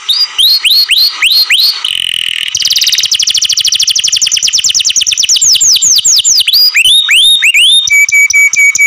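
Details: Caged canary kept as a pet, singing loudly: rapid rising whistled sweeps repeated in quick series, a dense buzzy trill, then faster falling notes and clear steady whistles, all high-pitched and close.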